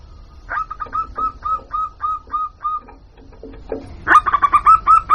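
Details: Zebra dove lure call from a local bird: a steady line of short hooked coos, then a pause and a louder, faster rattling series of notes at the end.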